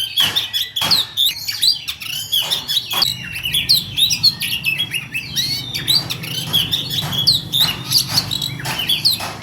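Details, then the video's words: Songbird singing a fast, continuous rolling song of sharp chips, clicks and high sliding whistles in tight succession, with steady low hum in the background. "ngerol speed rapat"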